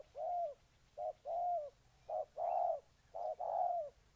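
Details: Spotted dove cooing in Ninh Thuận, Vietnam: a pattern of a brief coo followed by a longer, slightly falling hollow coo, repeated about three times, with no other clear sounds.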